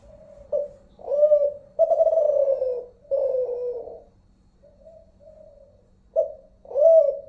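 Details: Zebra dove of the Kelantan voice type from Malaysia, unedited recording: loud rolling, slightly descending coos alternate with softer short coo notes, with pauses of about a second between phrases, in a quiet setting.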